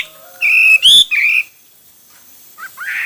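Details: Hwamei giving a short burst of loud, pure whistled notes, one flat, one rising sharply, one wavering, followed by softer, lower warbled notes.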